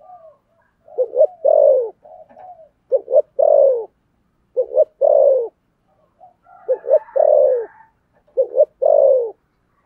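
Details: Repeated 'thổ sấm' style cooing from a spotted dove: deep, rounded phrases of a double short hoot and a long, falling coo, about four phrases with brief pauses between them.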